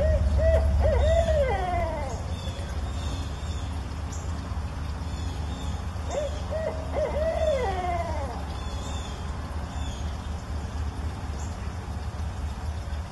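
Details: A four-month-old barred owl in a front yard answers its parent's call: two hooting phrases about six seconds apart, each with wavering, slurred notes dropping at the end, over a low rumble and faint small-bird chips.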